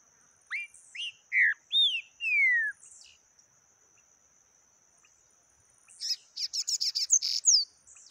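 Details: Taquara rachada style song of a yellow-bellied seedeater: four or five clear whistled slurs, rising then falling, and a long descending note, a pause of three seconds, then a fast burst of buzzy, crackling high notes.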